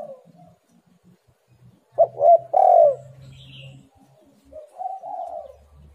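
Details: Spotted dove coo phrase for luring lazy doves to call: after quiet low murmurs, two quick loud hooked notes and a longer, fuller coo, then a softer drawn-out closing coo, with a faint high chirp behind.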